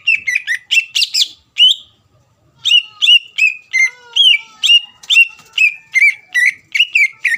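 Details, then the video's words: Greater green leafbird kept in a cage, singing loudly to provoke an opponent: fast whistled phrases, a short break, then long steady series of clear sliding whistles at a brisk pace. "CUCAK IJO GACOR MEMANCING EMOSI LAWAN AGAR LANGSUNG BUNYI"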